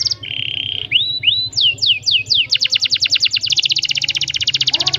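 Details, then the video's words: Long rolling canary song, rol rapat cuit cuit style: a flat buzzy tone, rising whistled slurs, several falling whistles, then a very fast, even trill of repeated notes running to the end, with a soft low hum beneath. "KENARI GACOR PANJANG, rol rapat cuit cuit"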